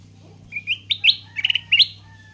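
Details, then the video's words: Wild-caught sooty-headed bulbul, now tamed in captivity and singing almost every minute, kept as a lure and tutor bird. A quick run of bright whistled notes, several slurred upward, in five short bursts over about one and a half seconds, over a steady low hum. "KUTILANG EMAS HASIL PIKATAN AKHIRNYA GACOR! Tiap Menit Bunyi"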